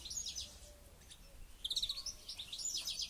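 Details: European goldfinch in training for a local goldfinch championship, giving a short run of bright, rapid twittering notes and a quick trill over faint background noise.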